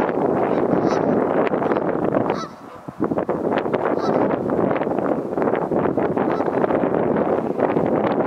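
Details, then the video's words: Geese flying past and coming in to land on the river Dee at Connah's Quay docks on a windy day; dense, overlapping harsh honks fill the clip, with a brief lull midway and steady wind noise. "Geese coming in to land"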